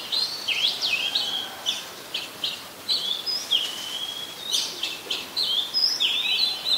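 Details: Oriental magpie-robin song from Ubon Ratchathani, Thailand, recorded 26 December 2020: quick varied whistles and clipped notes, roughly three to four per second, mixing level tones and steep slurs over soft ambient hiss.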